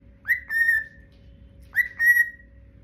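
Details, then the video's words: Cute, adorable bird giving two clear whistled notes, each rising sharply then holding steady, about a second and a half apart, over a faint steady hum. "Cute bird making cute sounds"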